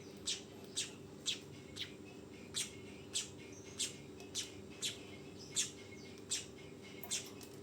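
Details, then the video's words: High, clipped chirps from a young weaver come in an irregular series, about fifteen in under eight seconds, with a steady low hum behind them. "SUARA BURUNG MANYAR TROTOLAN"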